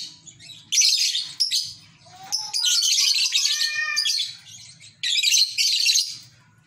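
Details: Lovebird at a village home giving its ngekek chatter: loud bursts of harsh, high twittering separated by short gaps, with a few lower whistled slurred notes in between and faint low rumbling behind.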